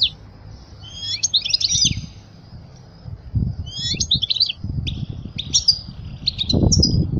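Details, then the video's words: European goldfinch song meant for teaching young birds: bursts of bright, rapid twittering trills and tinkling notes, pausing briefly between phrases, over low thumping background noise. "أجمل تغريدة لطائر الحسون لتعليم الفراخ الصغار"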